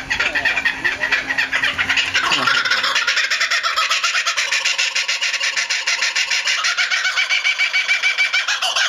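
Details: Laughing kookaburra at Higashiyama Zoo, 25 May 2011, gives a loud, raucous, rapid series of cackling notes building into a steady rolling laugh, with a low rumble and faint voices at the start.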